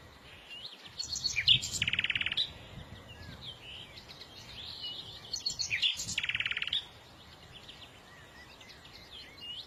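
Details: Songbird singing two bursts several seconds apart, each a jumble of high twitters ending in a dense buzzy rattle, with softer chirps between.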